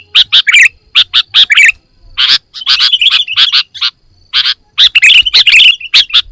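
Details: Quick paired chirps open this sooty-headed bulbul full isian song, followed by a drawn-out warbling phrase and dense, loud chattering toward the close.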